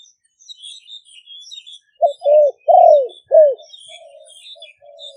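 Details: Spotted dove decoy bird, Malay or Phat Phon line, caged and recorded live in Roi Et province, Thailand. A single phrase of three hoarse coos, the middle one long and falling, followed by quiet low coos.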